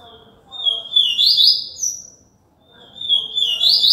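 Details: Two lively song phrases from a Yellow-bellied seedeater, Alagoas. Each begins with a level whistled note and rolls into a quick, high, slightly buzzy twitter with a short upward flourish, separated by a brief silence.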